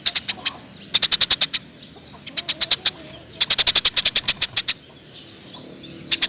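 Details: Eurasian tree sparrow lure recording: fast series of bright, high chirps delivered in clusters, some runs long and steady, with brief quiet gaps and faint softer notes between them.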